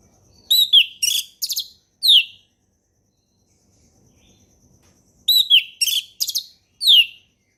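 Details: Orange-headed thrush giving relaxed ngeplong singing for young birds to copy: two matching phrases of quick twittering notes ending in a descending whistle, repeated about five seconds apart with silence between.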